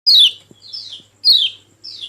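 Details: Golden-bellied gerygone (kecial kuning), a kept bird, in a lure recording meant to prompt a silent bird to sing: high whistled phrases sliding downward, repeated twice in about two seconds, each followed by a softer, lower descending note.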